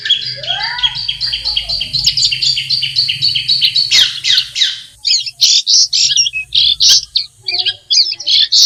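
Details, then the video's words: Long-tailed shrike in its natural habitat: a quick series of whistled chirps, one rising whistle, then loud, harsh, scratchy bursts of chatter, over a low background hum. "SUARA BURUNG CENDET DI HABITAT ASLINYA"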